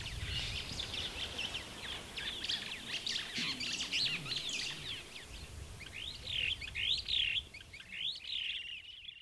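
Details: Superb starling in Kenya: a quick run of scratchy chirps and short whistles, then clearer rising-and-falling whistled notes in a loose series from about six seconds, with a faint low rumble early on.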